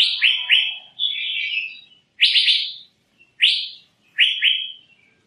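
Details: Asian fairy-bluebird calling with loud, rich upslurred whistles, singly or in pairs, spaced about a second apart, plus one longer descending slurred note early on.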